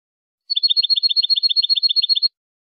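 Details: Tutoring song of the European goldfinch: one steady, high, even trill of about eighteen quick repeated notes lasting under two seconds, with a silent background.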